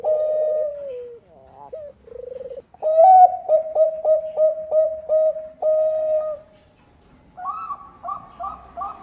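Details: Bangkok-type zebra dove singing steadily as a lure so other doves join in: descending coo, quick rattling trill, then a long run of about ten evenly spaced, clipped cooing notes, ending with bubbly rising phrases after a brief gap.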